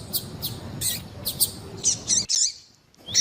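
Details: Coleiro tui tui, the double-collared seedeater, with female calls meant to warm up other birds. A series of sharp buzzy notes is followed by brief twisting whistles, then a short pause and a final note.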